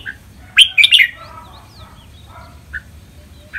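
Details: Red-whiskered bulbul song meant for caged birds to learn, in Thai styles such as len rik, lak boen, lak wai and nap dok; one quick burst of three ringing warbled notes, then soft scattered chirps over steady low background noise.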